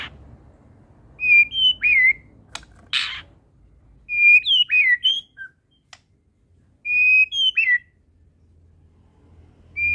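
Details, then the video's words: Medan white-rumped shama singing with full fills. Three short whistled phrases, each a high note followed by quick twisting slurs, are spaced a few seconds apart, with a sharp click between. "burung murai batu medan!!! FUll isian 100 ikut GACOR..!!!"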